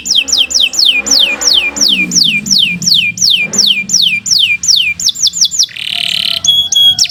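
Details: Canary with a long, energetic song used as master material to teach other birds: a run of high whistled notes sweeping downward, repeated about three times per second, then a dense buzzy roll and clipped ringing notes.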